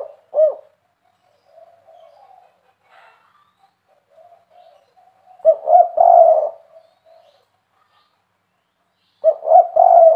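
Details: Spotted dove giving its three-note KUK 3 deep cooing call, used to prompt other doves to answer; low hollow coos around mid pitch, a single coo opening, then two grouped phrases about four seconds apart, with faint softer coos between.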